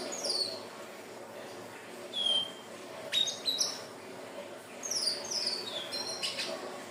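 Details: Lure recording of a Hill blue flycatcher singing: several short, high, sweet whistled phrases with quick sliding notes, separated by pauses, with clicking sounds and constant hiss behind.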